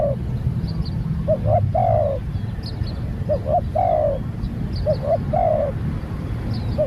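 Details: Newly trained spotted dove, a captive bird taken out for training, giving three cooing phrases, each two short clipped notes then a longer drawn, falling coo, steady low rumble beneath and faint chirps of other birds.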